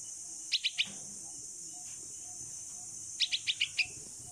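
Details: Fledgling bulbul, a rescued 16-day-old female, calling its mother during flying practice in the open: three rapid, thin, high chirps, a gap of over two seconds, then five more chirps, the last slightly lower and longer.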